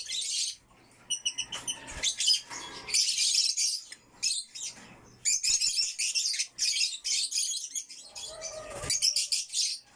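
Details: Several African lovebirds kept in a backyard chatter in loud, high, rasping chirps, in runs of a second or two with short gaps, plus a quick series of clipped ticking notes near the start.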